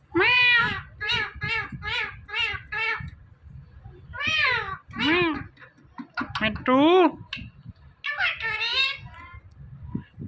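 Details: A pet parrot talks, calling "Mithu" over and over: a fast run of evenly spaced, arched, nasal syllables, then longer loud drawn-out words and a final burst.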